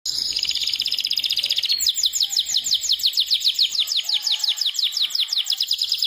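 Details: Canary identified as a Pakistan canary singing continuously: a fast, rolling high trill for nearly two seconds, then a steady series of sharp down-slurred whistled notes repeated about four times a second, over a faint background hum.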